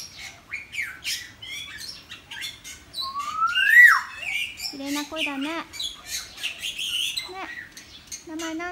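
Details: Caged common hill myna on a single perch in a residential area of Sanur, Bali, July 2019, with a Bali myna kept behind it; harmonic squawks and a loud rising whistle, mixed with people talking nearby.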